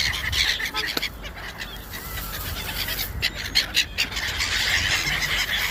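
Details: Gulls at dinner, calling in a noisy flock, harsh squawks and yelps overlapping in an irregular, busy chorus with steady background noise.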